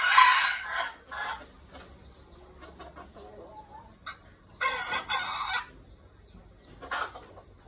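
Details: Golden-hackled decoy red junglefowl giving three separate harsh, rasping crow bursts, at the start, in the middle and near the end, with quiet stretches between them.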